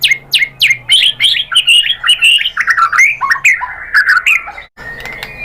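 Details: Loud, varied song of a White-rumped shama used to make captive birds sing: sharp downslurred opening notes lead into a tumbling stream of rich, warbled whistles, ending in a single steady, held tone.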